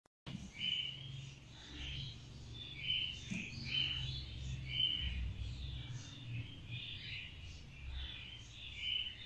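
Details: Opaline goldenface mutation budgerigar chatter: busy high chirps and warbles, with a low background rumble.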